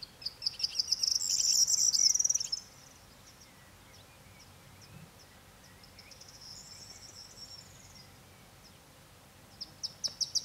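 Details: Corn bunting song: a few clipped ticks run into a bright, rattling jingle like shaken keys, about two seconds long. Near silence follows, then a fainter distant repeat and the start of another phrase.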